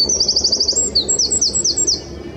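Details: A wren singing loudly from a branch beside the Long Water: a loud, high, rapid series of bright notes, about eight per second, running into quick trilled phrases, with a faint low hum behind.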